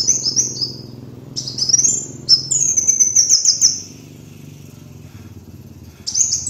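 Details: Kolibri wulung (sunbird) lure song: several high, thin, chattering phrases of quick rising and falling notes, separated by pauses, then one short phrase at the close, with a low steady hum throughout.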